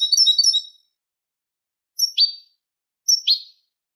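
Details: Eurasian goldfinch tutor recording in the Manolo style for young goldfinches and hybrids: a brief tinkling twitter, then two separated pairs of sharp falling chip notes.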